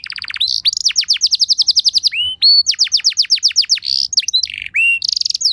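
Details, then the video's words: Canary lure song for prompting other canaries to respond: long trains of quick repeated downward-swooping whistles, brief rising notes, and two buzzy rattling bursts between trill runs. "Bakal Langsung Nyaut Burung Kenari Kondisi Apa Saja Dengan Pancingan Kenari Lagu Mewah Ini"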